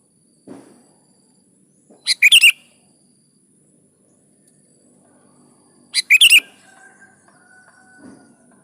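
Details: Sooty-headed bulbul giving 'gacor' song meant to draw caged kutilang into singing: two brisk chirping phrases about four seconds apart, with a faint soft thud early and a thin steady tone after the second phrase.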